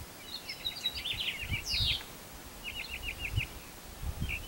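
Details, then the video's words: Summer-solstice birdsong from 16 June 2020: short runs of rapid, buzzy, repeated high notes and a few sharp chirps over faint wind and background rustle. "Birdsong - Summer Solstice 2020"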